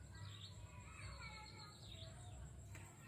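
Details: Jujuk bird, locally called Tatapaian, vocalizing: bright, harmonic chirps, some rising and falling, others bending downward, in a loose series over a steady low hum.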